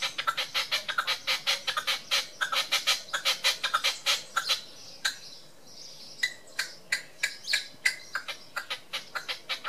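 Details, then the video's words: Red-legged partridge on a wall in Tresco Abbey Gardens, Isles of Scilly, giving a harsh, chuffing display call: rapid rhythmic notes about three to four a second, a brief pause, then a slower run. "Red Legged Partridge display"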